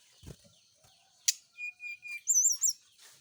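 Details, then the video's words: Brown-chested jungle flycatcher during morning dew exposure, kept out so it sings often: a sharp click, then a steady mid-pitched whistle and a run of high looping, wavy notes repeated three times. "pengembunan SRDC di pagi hari biar rajin bunyi"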